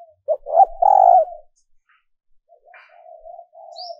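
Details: Calling female dove, recorded as a lure for males: two quick clipped notes, then a long, loud, smooth low coo, followed by a quieter, drawn-out trailing coo.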